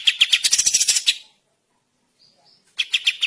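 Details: Kapas tembak bulbul in full song, recorded as training material for songbirds: rapid bursts of sharp, rattling notes repeated several times a second, a short silent gap with two faint high whistles, then the burst resumes.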